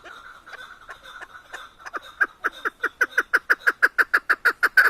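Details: Chukar partridge, called keklik, singing in Tajikistan: soft chuck notes that grow louder and faster into a steady run of sharp clucks, about three a second.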